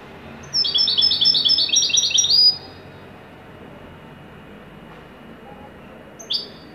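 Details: Joyful top performance by a Moroccan Widani goldfinch: a two-second burst of fast, high tinkling twitter, then silence broken by one sharp high chirp.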